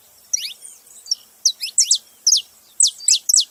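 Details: Saffron finch in Brazil: bursts of sharp, high chirps and short downslurred notes in clusters, with brief pauses between groups, no other sounds clear.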